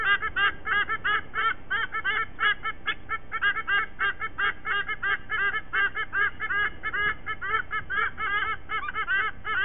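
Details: White-bellied sea eagle near its Sydney nest, Australia, early morning of 5 October 2023: long unbroken run of fast nasal honks, roughly three per second, overlapping in a loud chorus-like stream.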